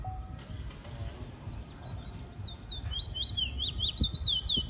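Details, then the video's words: Trinidad bullfinch in its first black plumage, said to show much potential, giving a run of quick zigzag whistled notes in the second half, faint over low rumbling background noise. "Congo Man 2(Trinidad bullfinch)"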